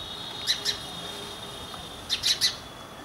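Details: Chirping of an Indian house sparrow (Passer domesticus indicus), resident near human habitation in India: two sharp chirps, a pause, then a quick run of three or four, with a faint constant whine underneath.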